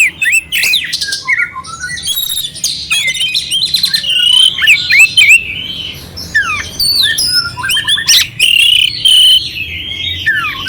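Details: Clear kacer song with rough fill-ins from an oriental magpie-robin, meant to stir a cold bird; continuous varied phrasing of whistles, downward slurs and dry chatters, roughly three notes per second.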